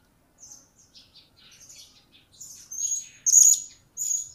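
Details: Blue-crowned hanging parrot, recently obtained and starting to vocalize, gives soft high chirps that build into louder, piercing shrill whistles near the end.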